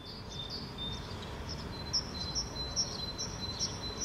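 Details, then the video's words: Great Tit song dominating the soundscape while a fieldfare forages, Helsinki, Finland, May 2013: high, bright two-note phrases repeated about every half second, over a steady thin high whine and broad low rumble. "Song of Great Tit (Parus major) dominates the soundscape."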